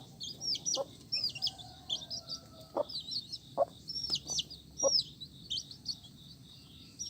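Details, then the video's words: Brightly coloured chicken chicks give shrill, falling peeps in loose bursts, fairly soft, with several dull knocks or taps in between. "Suara Anak Ayam"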